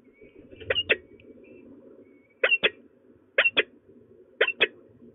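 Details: Peregrine falcons at De Mortel, Netherlands, calling during a prey transfer on 4 March 2024 at 16:52: harsh, chattering notes in quick pairs, four pairs about a second apart, over a faint low hum.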